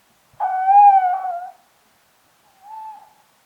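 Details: Haunting call of a Tawny owl, Strix aluco: a single drawn-out, steady, mellow hoot lasting over a second, followed after a pause by a much softer, shorter hoot at the same pitch. The surroundings are silent.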